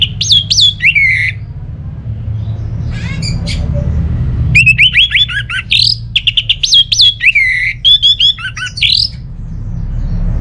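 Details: Orange-headed thrush song used to prompt lazy, non-singing caged birds at home, Singaraja, northern Bali: bursts of clear whistles and sharp rising upslurs mixed with rapid clicking notes, a pause, then a dense run of varied phrases.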